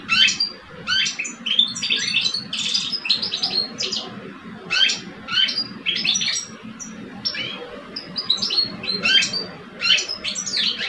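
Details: Two male European goldfinches, one older and one aged two, in a caged singing face-off. Rhythmic clusters of bright twittering and buzzy notes repeat about once a second, steady and insistent, over a faint hum.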